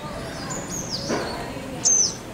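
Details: A male purple-rumped sunbird in India gives thin, very high notes: a drawn-out whistle slurring downward, then a sharp bright note, over soft background hiss.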